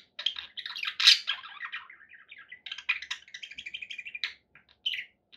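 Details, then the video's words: Pet budgerigars chattering indoors, a dense run of warbled, scratchy chirps between 2k and 4k, with a louder squawky burst near the first second and short pauses toward the end. "1 hour of budgie sounds with background noise for relaxation"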